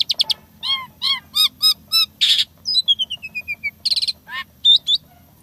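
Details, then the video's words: Rapid-fire fill-in phrases from an Asian pied starling: a series of repeated harmonic chirps, one harsh rasp, a long descending chain of whistled notes, then quick chatter and a twisting whistle. "Jalak Suren Isian Tembakan Mewah Gacor Full Isian Suara Unik Kreasi Terbaru"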